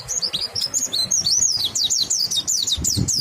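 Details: Monty bird singing in its ngalas style, a continuous run of high, thin, sweeping chirps that rise and fall rapidly, densely repeated throughout, with faint low background rumble.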